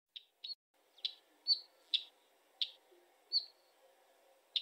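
Northern wheatear giving short, high chirps and brief whistled notes in an uneven series, roughly two a second, over a faint low background hum.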